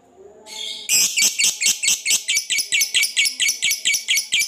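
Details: Fighter lovebird giving a long 'ngekek' chatter, a lure meant to provoke rivals and make quiet birds answer: after a soft start, harsh buzzy notes repeat about four times a second, steady and loud.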